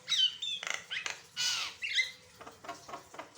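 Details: A Javan myna sings with varied notes as a training recording, giving sliding whistles, a long harsh buzzy squawk and a falling whistled note, followed by quieter chatter.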